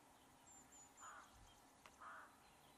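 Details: A flock of rooks feeding on a freshly ploughed field, gathering for worms, grain and seeds: two harsh, hoarse caws about a second apart over steady outdoor background noise.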